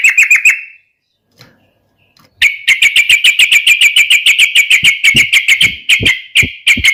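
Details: Yellow-vented bulbul song played to prompt other birds to sing, opening with a quick cluster of bright notes, silence, then a long fast series of sharp chirps at a steady pace, about three per second.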